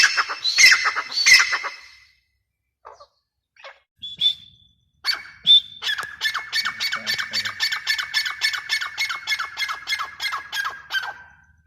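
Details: Grey francolin, described as chick calls: a few harsh squawks open, then after short pauses a fast run of about twenty clipped, evenly repeated notes that gradually fade.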